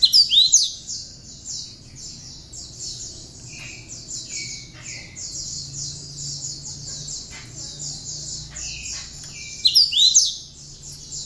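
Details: Hand-reared cinereous tit singing a song filled with ciblek (bar-winged prinia) phrases, kept to tutor other birds: loud sweeping whistles open and near the end, with a steady buzzy high trill and scattered short notes between.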